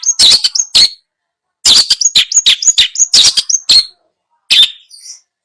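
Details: Long-tailed shrike song used as a training recording for a bird that has stopped singing: bursts of harsh, scratchy notes mixed with short high whistles, grouped in two runs with a silent pause between them.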